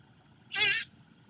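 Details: A Great Horned Owlet at a nest-cam nest near Savannah, evening of 1 March 2022 around 18:38, greets its returning mother with one brief, raspy, high-pitched squeal of about a third of a second, over a low background hum.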